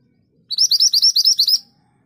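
A scarlet minivet gives a rapid roll of about ten high, sweet, slurred notes in just over a second, clear against a quiet background.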